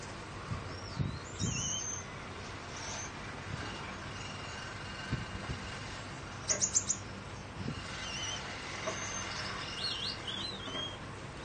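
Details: Captive Gouldian finches, male and female recessive dilute back and blue birds, kept under a fan during 40C heat. High, thin chirps scattered throughout, with a quick burst of sharp notes mid-clip over steady fan hum.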